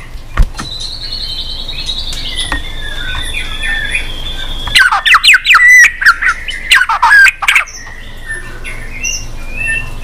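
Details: Long-singing white-rumped shama, prompted to sing, flicking its tail, with many unusual voices; a long steady high whistle, then a loud quick burst of sharp chattering and sweeping notes before quieter soft calls trail off.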